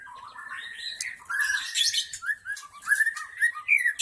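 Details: Wild forest white-rumped shama song serving as a lure for other shamas: busy warbling with harsh high chatters, then a series of clear rising and falling whistles near the end.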